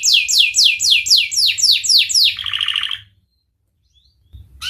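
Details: Canary song in the Cengkok Mewah style: seven loud, fast downward-sweeping whistles in a quick regular series, then a short buzzy rolling trill, a pause of silence, and the song starting again.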